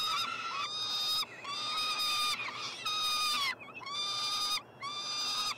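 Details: Peregrine falcon chicks, three siblings, begging as food arrives at a University of Montreal nestbox, Canada, 21 June 2022; five long, strained, nasal wails, each about a second, separated by short clean gaps.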